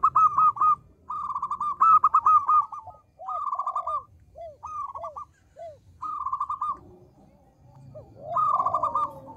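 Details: Local zebra dove giving its small-voiced, actively sung lure song: brisk chattering bursts of sharp notes about every second or two, broken by softer downward-bent coos, with a faint low rumble beneath.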